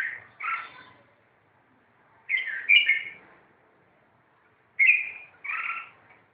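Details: Red-whiskered bulbuls during a fight: short bursts of bright whistled and chirping notes, given in clusters about every two seconds with silence between.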